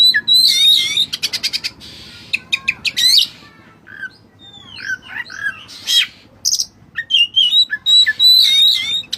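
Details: Vigorous song of a white-breasted kacer, the Oriental magpie-robin, as a tutor recording with cililin fill-in: rapid ticking runs and high warbles, then curling slurred whistles and dense twittering at the end.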